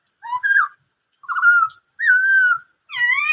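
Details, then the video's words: Black-throated laughingthrush whistling the "bắt cô trói cột" song: a two-note phrase, then two long steady whistles, ending in a richer, harmonic-laden note, all within about three seconds. "em khướu bạc má hót bắt cô trói cột"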